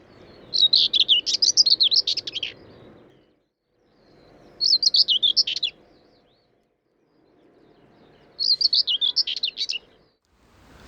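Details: Common whitethroat (Curruca communis) song at Gibraltar Point, Lincolnshire dunes: three short, fast, very scratchy warbling phrases, each one to two seconds, over a low steady background hum.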